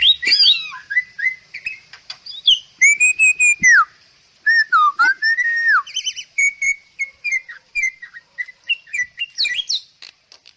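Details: Bali myna from Bali, in a masteran recording used to train songbirds, sings loud, clear whistled phrases. They slur down and up and are mixed with sharp clicks and rapid harsh notes in dense bursts with short pauses.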